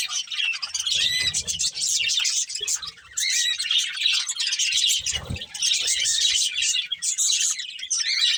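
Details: A feeding budgerigar breeding pair fills the air with quick high chirps and squeaky warbles, one brief pause, and occasional low thumps beneath.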